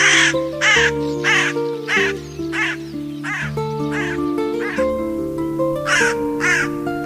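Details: Crow giving about eleven hoarse, harsh caws in a quick, uneven series over steady background music with sustained tones.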